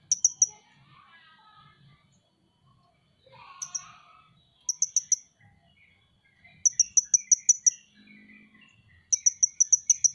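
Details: Van Hasselt's sunbird, the ninja hummingbird kept by bird fans, repeating quick bursts of high thin ticking notes, up to seven per burst, with quiet gaps and faint low noise.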